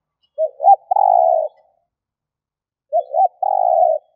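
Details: Spotted dove decoy bird giving thúc gù cooing to attract wild doves: two phrases about two and a half seconds apart, each a pair of quick low hoots leading into a long purring coo.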